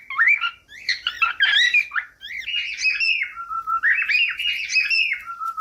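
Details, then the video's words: Cockatiel chattering song mixing rough chirps and squawks with warbled whistles, ending in long level whistled phrases that drop to a low held note. "CANTOS DE CALOPSITA"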